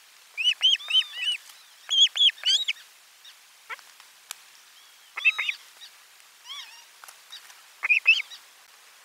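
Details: Osprey at nest 4, lunchtime fish delivery on 12 July 2022, nest camera: rapid runs of bright, arched whistled chirps, then scattered softer calls and a few sharp clicks, all quite high and clear.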